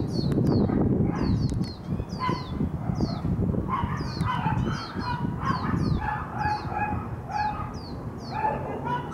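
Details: Two lesser goldfinch fledglings asking a parent for food outside a house, a noisy commotion of quick high down-slurred notes repeated steadily, with some lower whistled calls mixed in over low background rumble.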